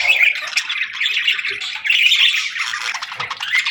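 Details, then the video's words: Afternoon budgies chirping and whistling in a dense, nonstop chatter of scratchy squeaks and bright whistled notes. "Budgie Afternoon Whistles"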